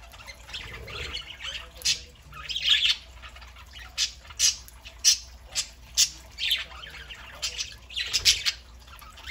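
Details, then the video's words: Pet parakeets on a Saturday morning: after some soft warbling, a run of sharp, piercing squawks comes every half second or so, with chatter continuing between them. "Parakeets Saturday morning"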